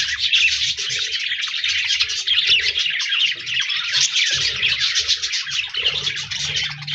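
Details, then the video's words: Flock of budgies, also called parakeets, singing and chirping on 14 January 2024: a continuous bright, dense warbling chatter of overlapping fast chirps, steady throughout, with faint low thumps underneath. "Budgies Birds Singing Chirping Sounds Parakeets sounds"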